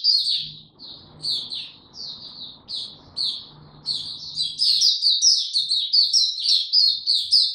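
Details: Caged white-eye singing, a continuous run of high, quick chirping and twittering notes in short overlapping bursts, growing denser and more sustained in the second half; faint low background murmur early on.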